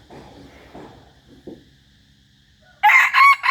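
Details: Decoy chicken crowing. After nearly three seconds of faint low rumbling, one loud, harsh, harmonic crow bursts in and is cut off at the end.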